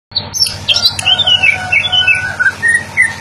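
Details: Greater green leafbird (Chloropsis sonnerati) singing: a rapid run of whistled, slurred notes sliding between high and mid pitch, some descending, with short sharp chips mixed in, over a steady low hum.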